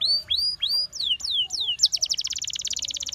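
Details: Canary singing to lure other canaries into song: a few rising then falling whistled slurs, a couple of sharp downswept notes, then a dense, fast, loud trill of repeated notes.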